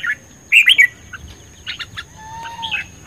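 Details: A red-whiskered bulbul (Pycnonotus jocosus), a caged bird said to be ready for song contests, gives short bursts of bright, bubbly competitive chirping song, with a steady thin high whine in the background.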